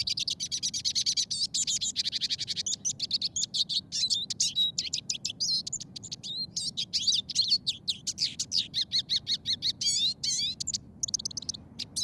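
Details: A Eurasian siskin, a bird of conifer woodland and birch areas, sings its happy song, a fast, unbroken stream of high twittering and chattering notes in many tones, mixed with wheezy slurred phrases.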